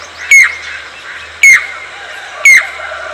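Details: Crested pied cuckoo, known as chatak, giving three loud ringing notes about a second apart, each a sharp piping whistle dropping at the end, over a quiet background with a faint low hum.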